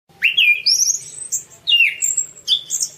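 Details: Orange-banded thrush, anis cendana, singing as a masteran training recording: clear whistled phrases sliding downward and upward between high notes, three separate phrases over three seconds, quiet background hum.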